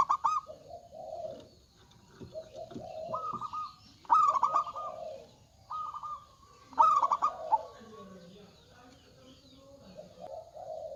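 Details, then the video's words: Loud-voiced local zebra dove cooing as a lure sound: repeated rolling phrases with a brisk bubbly start and a steady drawn-out coo, several phrases over about eleven seconds with faint background noise. "PERKUTUT LOKAL GACOR Suara Besar"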